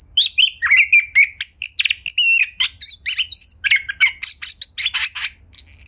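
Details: Ngobra-style song of a caged Oriental magpie-robin, a prompt to encourage others of its kind to sing their varied mimicked phrases. Dense, rapid mix of sharp chips, short whistles and harsh buzzy notes without pause.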